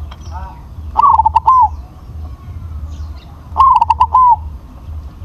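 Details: Big-voiced crossbred zebra dove sings two rolling phrases about two and a half seconds apart. Each is a burst of staccato notes ending in a drawn-out coo, with soft low background noise.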